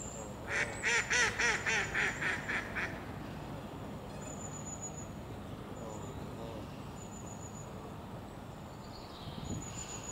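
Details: Duck moving fast and quacking: a quick series of about eight nasal, harmonic quacks packed into the first three seconds, followed by quiet background hiss with faint high tones.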